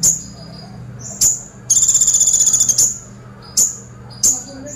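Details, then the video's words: Sunbird, described as vocally active, delivers 'tembakan pelatuk' woodpecker-style bursts: piercing high chips spaced about a second apart, with a fast rattling trill of roughly twenty-five even pulses in the middle. Steady low background hum. "KONIN GACOR FULL TEMBAKAN PELATUK"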